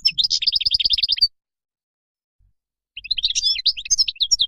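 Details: Wild European goldfinch song for teaching young birds: a quick run of evenly repeated high chirps, a pause of under two seconds, then a jumbled tinkling twitter.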